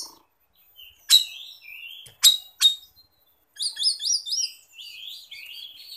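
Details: Oriental magpie-robin (kacer) song meant as a lure or master for other birds: a few sharp loud chips, then fast repeated high whistled figures and softer warbled phrases.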